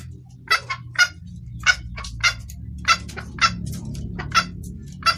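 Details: Red junglefowl hen calling a male, clear luring call: sparse, sharp clucks every half second or so, some paired, with steady low background hum.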